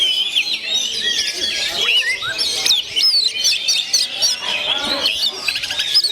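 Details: Oriental magpie-robin, 'gondo mayit' type, natural voice: fast, varied, high chirps and looping whistles pouring out nonstop, with curling rising and falling notes packed closely together.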